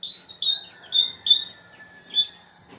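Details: Pied bushchat calling: six clear, high whistled notes, each slightly slurred and spaced about half a second apart, in a quiet setting with little else audible.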